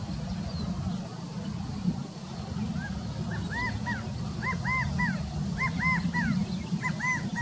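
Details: Male California quail giving its "chi-ca-go" call at Mather Lake; three-note calls with a rising-falling middle note repeat about every second, over a steady low rumble of background noise.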